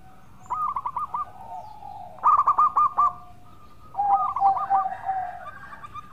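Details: Melodious song of a local zebra dove in full voice, used as a lure: three bursts of rapid, throaty cooing pulses, each trailing into a level drawn-out coo, with brief quiet gaps between them.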